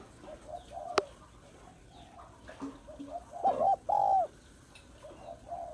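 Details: Female spotted dove in Vietnam calling to excite males. Soft low hooting coos stand among faint background noise, ending in two louder, drawn-out coos with a sharp click early on.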